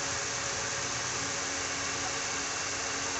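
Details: Steady broadband hiss with a low engine-like hum throughout and no animal calls.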